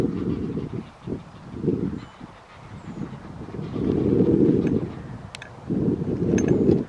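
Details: Tundra bean goose at Wimpole Hall, Cambridgeshire, on 17 December 2020, giving low, nasal honking calls in bursts of about a second, several repeated in a row with short gaps, a faint higher call audible in the background.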